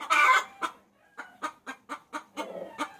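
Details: A hen lures a rooster: one loud, rasping squawk, a short pause, then a slow series of single clucks about four per second.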